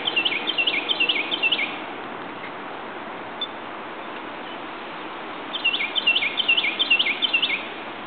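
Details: Rose-breasted grosbeak recorded in Ellicott City, Maryland, on May 5, 2011: two quick bursts of bright, slurred notes that dip and rise in rapid succession, separated by a four-second pause, over a steady background hiss.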